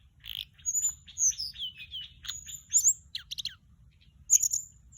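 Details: High twittering flycatcher song used as a lure: a run of quick descending chips and whistles, then dry clicks and a final bright whistle, in a quiet setting.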